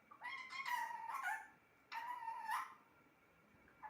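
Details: Pet talking parrot giving two speech-like utterances, the first about a second long and the second shorter after a brief pause, with voiced harmonic tones; a faint steady hum sits behind in a quiet indoor setting.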